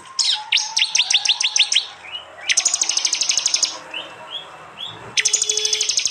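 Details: Over six seconds a prinia alternates quick runs of falling chips, soft lower whistles, and dense piercing trills, from an android phone recording in East Java, Indonesia, mixed with jali song for bird training.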